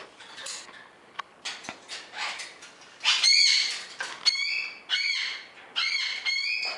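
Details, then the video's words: Pet greater sulphur-crested cockatoo at home with its owner gives a run of harsh, raspy squawks: short bursts, then longer screeching notes repeated about every second, with faint rustling between calls. "Big Bird, greater sulfur crested cockatoo"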